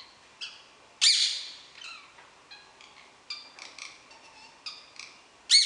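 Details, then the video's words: A wild rose-ringed parakeet, described as talking, chatters harshly on 19 July 2016, opening and closing with loud grating screeches and softer babbling between; finding: rose-ringed parakeet. "pratende wilde groene halsbandparkiet"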